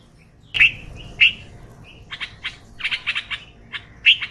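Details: Loud, emphatic chirps from a red-vented bulbul, the first two spaced apart, then a rapid run of softer clipped notes ending in another strong chirp; a quiet setting otherwise.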